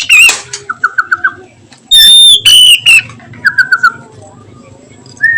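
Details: Oriental magpie-robin in the afternoon, singing melodiously in the 'nyiul' manner: short rapid trills of repeated notes, a piercing sustained whistle, slurred phrases, and another quick trill, with quiet gaps between.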